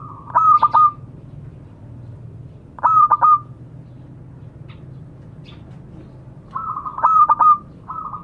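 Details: Local zebra dove calling to companions, used as a lure: three bursts of bright, stuttering, whistled cooing phrases about three seconds apart over a steady low hum.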